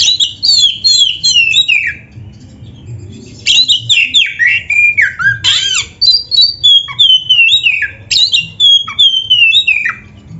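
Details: Oriental magpie-robin in full energetic song for training novice or lazy kept magpie-robins. Dense runs of chirps and downward-swooping whistles, a short pause, then steady rhythmic phrases of sliding whistled notes.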